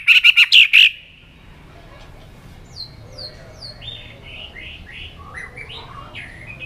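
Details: White-rumped shama singing competitively: a one-second burst of five loud, high, chattering notes, followed by soft, separate whistled notes that rise and fall over a quiet background.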